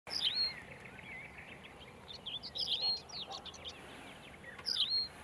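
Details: Tawny pipit calling: sharp high chirps near the start and end with a busy chorus of other thin twittering birds between, over steady background hiss.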